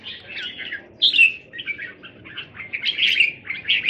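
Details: Caged red-whiskered bulbuls at a Thai home on 27 January 2021 sing lively chirpy phrases, a clear whistled note near one second, then quick tumbling warbles.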